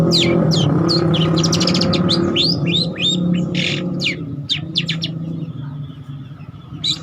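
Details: Long-tailed shrike song of the cendet trotol kind, played as a lure or master song: a busy run of rising whistles and scratchy chatter that thins out after about five seconds, over low background rumble.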